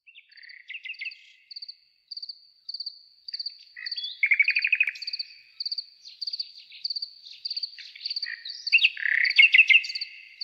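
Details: Nightingale singing varied phrases: sharp chirps, liquid trills and a dry buzzy rattle near the middle, then louder rolling notes toward the end, over steady, regular cricket chirping.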